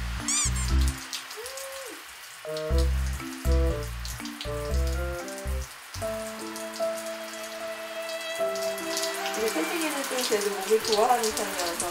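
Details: Plucked and sustained musical notes over a patter of rain-like noise, with no animal calls.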